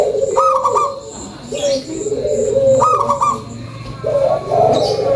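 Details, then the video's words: Zebra dove of the local type, lure song: a bright stuttered opening followed by a long, gently falling bubbly coo, repeated about twice in five seconds. "SUARA PANCINGAN PERKUTUT LOKAL GACORRR"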